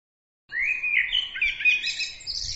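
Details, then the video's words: Small bird singing a bright twittering phrase that begins with a rising whistle and then breaks into quick, warbled trills climbing higher, with no other sounds. "bird عصفور"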